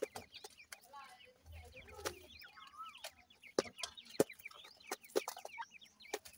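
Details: Grey francolin chicks, Dhakni and Irani teetar types, playing and fighting: a busy scatter of short, thin, high chirps and rising-falling peeps from several chicks, mixed with sharp clicks and taps.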